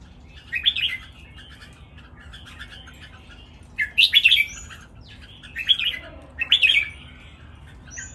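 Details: Red-whiskered bulbuls, three birds competing, counted-phrase master song. Lively warbled phrases recur roughly every one to two seconds, each a cluster of sharp bubbly notes over low background chatter.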